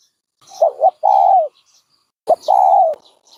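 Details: A dove repeats a two-part phrase twice: a wavering double note, then a long steady coo. Faint higher chirps sound in the background.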